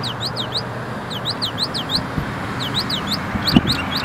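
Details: Northern mockingbird (Mimus polyglottos) singing in January: bright, sliding notes, each phrase repeated five or six times in quick runs before switching, over a low rumble and a sharp knock.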